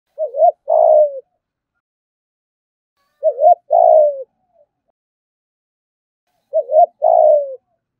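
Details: Caged spotted dove kept as a songbird, cooing in the thúc gù style: three phrases about three seconds apart, each a quick double hoot then a longer, slightly falling coo, with silence between.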